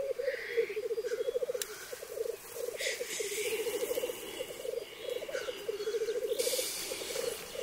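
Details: Black grouse (Lyrurus tetrix) at a lek arena in 2023, where males fight before mating: several males give a continuous low, dove-like rolling coo, broken by sharp hissing sneezes.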